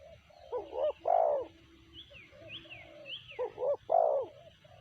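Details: Spotted dove calling twice: each phrase is two quick rising notes and then a fuller, drawn-out coo. Thin, sliding whistles from other birds sound faintly above.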